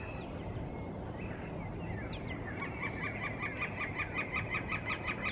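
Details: Northern flicker in spring, a male back in the area establishing a breeding territory, singing loudly from a treetop: after faint chirps, a rapid, evenly repeated series of sharp, ringing notes starts about halfway through, about four or five per second, over steady background hiss.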